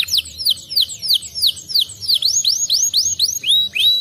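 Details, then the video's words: Canary song used as a lure to prompt another canary to sing: a fast series of high, clear whistled notes, each sweeping downward, repeated about three times per second, over faint low background noise. "pancingan kenari handal"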